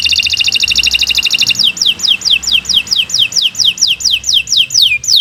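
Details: Canary long song for training other birds, opening with a fast high rattling trill and moving into regularly repeated, clear downward-sweeping whistles about three per second.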